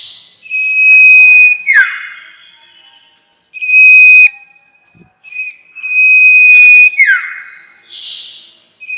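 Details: Sirtu, a small olive-green songbird, in a recording used as a lure for trapping: long, steady, clear whistled notes held level for a second or more, broken by short downward-sliding whistles and brief buzzy bursts, repeating in phrases a few seconds apart.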